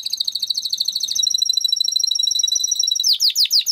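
A Timbrado canary sings high, rapid pulsed notes that roll into a sustained metallic trill, then breaks into sharp rising chips repeated about three times a second.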